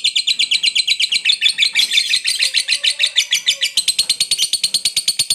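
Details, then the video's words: Lovebird delivering an extended ngekek chatter to stir up rivals: dense, rapid, shrill pulses repeated about three times a second, slightly uneven in rhythm, running unbroken from start to finish. "SUARA BURUNG LOVEBIRD NGEKEK PANJANG, JITU BANGET PANCING EMOSI LAWAN"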